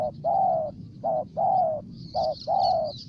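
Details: Loud spotted dove cooing from Ninh Thuận, Vietnam: three pairs, each a brief soft coo then a longer mellow one, evenly spaced; thin chirping of other birds rises faintly near the end.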